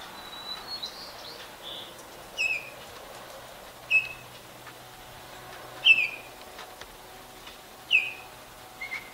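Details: Adult and juvenile Baltimore orioles: short whistled, slurred notes descending in pitch, repeated roughly every two seconds, with faint chips and a soft low hum behind.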